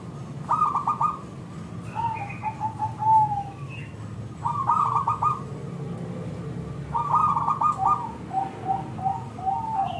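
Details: Local zebra dove with a thick, clear voice, used to lure other zebra doves into answering; three bursts of rapid bubbling coos, each trailing into softer falling notes, over faint background hum.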